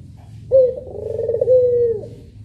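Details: Single long coo from a Puter pelung dove, one of two birds, opening with a clear tone, wavering through the middle and ending on a smooth, steady note that fades out; faint low hum behind.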